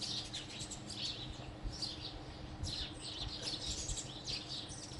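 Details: Chirping of house sparrows, a busy run of sharp, high tweets in quick clusters with brief gaps, several calls overlapping, set against a constant low hum and faint environmental noise.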